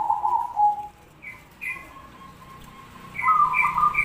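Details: Zebra dove singing, a song rated for contests and daily listening: a trilled cooing phrase, then soft short chirps from another bird, then a bright purring trill returning near the end.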